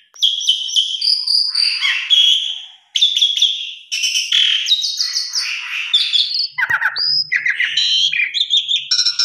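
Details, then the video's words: Asian pied starling pouring out a varied lure song rich in fill-in notes: buzzy chattering passages, clear whistles and a run of quick rising and falling notes, broken by short pauses and one click. "Coba Putar 1 X Pancing Jalak Suren Dijamin Gacor Full Isian Suara Mewah"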